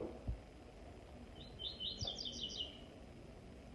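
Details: A brief run of high, repeated chirping notes from a double-collared seedeater's song, over a constant low rumble with a few soft knocks.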